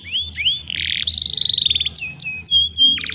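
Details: Young canary song meant to set other young birds singing: rising whistles, a rapid rolling trill, then clear level whistled notes and a closing burst of quick notes.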